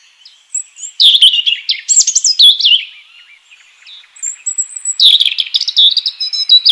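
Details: European robin in the wild singing two energetic phrases of sharp, high, rapidly changing notes and thin whistles, the second denser and more trilled, with a softer pause between.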